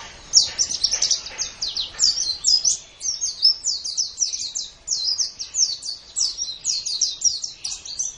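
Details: Caged-bird training song of a white-eye, meant for morning or evening sessions: long, fast stream of thin, high chirps and slurred notes, almost unbroken and evenly energetic.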